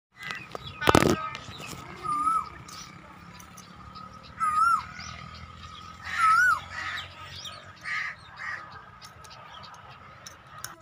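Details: Black francolin calling: short whistled, wavering notes repeated about every two seconds, with harsher bursts between them, over a steady background hum and one loud click near the start.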